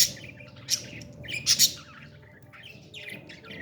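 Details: Feeding baby parrot letting out a few sharp, loud squeaky bursts followed by quieter raspy chattering.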